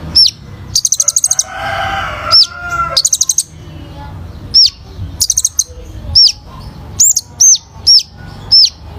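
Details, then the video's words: Energetic olive-backed sunbird singing, meant to stimulate other birds to sing: short bursts of rapid high trills mixed with many sharp, down-slurred whistled notes scattered across the phrase. "KOLIBRI NINJA GACOR FULL ISIAN TEMBAKAN"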